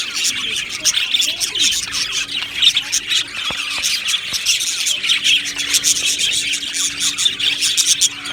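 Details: Aviary flock of Australian budgerigars: loud, rhythmic bursts of chirps and squawky warbles from many birds. A few sharp clicks stand out midway, and a low hum continues.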